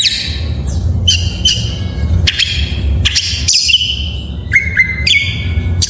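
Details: Oriental magpie-robin full isian song for prompting lazy birds: short bright whistles and sharp clicks separated by brief gaps, ending in a steady whistled note and a higher held tone, over noticeable low rumble.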